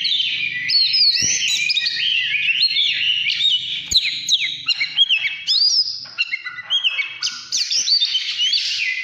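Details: Oriental magpie-robin, 'căn lửa' song style, pours out bright whistled notes, sliding glides and stepped phrases, with two sharp clicks and a faint low hum underneath.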